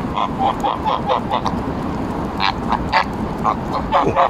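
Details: Several Embden geese being fed and petted in Longton Park, Stoke on Trent, 18 July 2022, give rapid, overlapping nasal honks and cackles almost without pause against a rumbling background.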